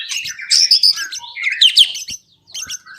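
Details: White-rumped shama singing as a lure to set other birds off and display its repertoire. High, scratchy chirps and squeaky whistles in two bursts, then a short pause and softer notes. Faint knocks in the background.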